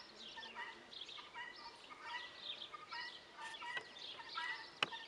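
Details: Guineafowl calling: harsh, stacked, nasal notes in quick irregular series, some strident higher bursts overlapping, with a sharp click near the end.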